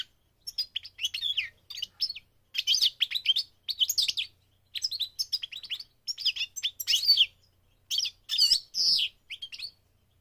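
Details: Migrating goldfinch repeating short bursts of high, tinkling twitter and buzzy trill every second or so across ten seconds, with brief gaps between phrases.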